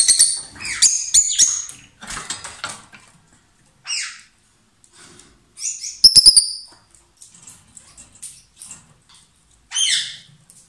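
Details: Pair of lovebirds kissing and perhaps passing food, giving loud song: bursts of sharp, high chirps and short descending squeaks, separated by quiet gaps of a second or more, with a tight rapid clicking cluster near the middle.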